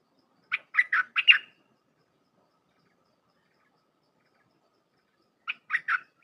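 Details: Thai 'dok taeng' red-whiskered bulbul singing a tight 'dok' style song used to teach hand-fed youngsters: a burst of four rapid chortling notes, several seconds of silence, then three more bubbling notes.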